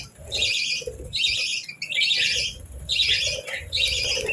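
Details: Morning chatter of pet budgies, a female among them, as they eat and bathe: rough, squawky warbled phrases about a second long, repeated with short breaks, plus low background noise.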